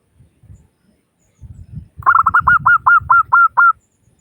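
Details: Local zebra dove singing as a lure to make other doves call quickly. Soft low sounds lead into a phrase of about nine ringing, hooked coo notes that start fast and then slow into an even beat.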